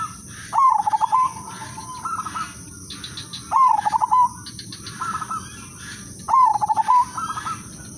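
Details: Udanmas silver zebra dove, a lure singer for other doves: three loud stuttering coo phrases, each a rapid string of pulses ending in a drawn-out note, answered by quieter higher phrases.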